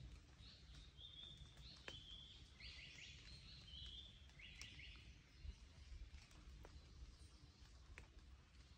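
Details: Japanese paradise flycatcher on Mount Rokko, Japan, 31 May 2022, giving a quick run of harsh buzzy notes and short thin whistles over three seconds; females give short clipped hoi-hoi-hoi, males long ones. Steady low rumble.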